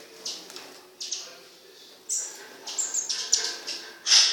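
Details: Several kept black-throated bushtits: short, very high, thin call notes given in irregular bursts, about eight sharp tsit-like notes over four seconds, some doubled, over quiet room background.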